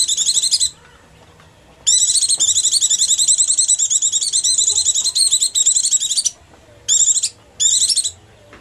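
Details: Oriental white-eye hungry or frightened call, used as a lure for small birds: high, thin twittering chatter in rapid bursts, one long run of about four seconds between shorter ones, with faint background hum.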